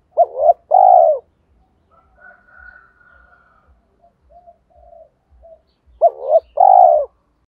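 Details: Loud, clear spotted dove calling to lure wild doves: a stuttered double note and long coo, a pause with soft, higher faint cooing, then the same phrase repeated.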